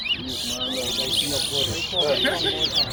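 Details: A Chestnut-bellied Seed-Finch (towa towa) at a whistling competition at Tuschen bird ground, Guyana, pours out quick, bright whistled phrases and chirps as its notes are counted, with people talking close by throughout.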